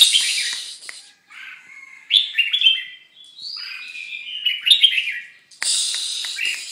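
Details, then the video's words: Red-whiskered bulbul during its moult, giving a bubbly, warbled song of short whistled notes that rise and fall, with harsh hissing bursts at the start and end. "Chao mao dang thay long"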